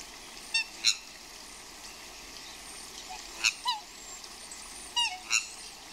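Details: Courting swans outdoors in rain give paired harsh honking squeals, loud and falling in pitch, repeated in three groups, with constant rain hiss beneath.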